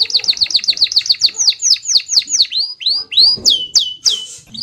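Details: Canary singing its rolling song: a fast series of high, sweeping whistled notes, about four a second, slowing into longer, fuller swoops toward the end, with faint background clatter.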